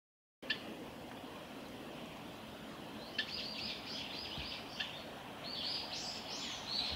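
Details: Oriental greenfinch (Chloris sinica), one of a male and female pair at the Kitafuji training area on 30 May 2021, giving soft, high twittering calls in short bursts over outdoor hiss, with a few sharp clicks.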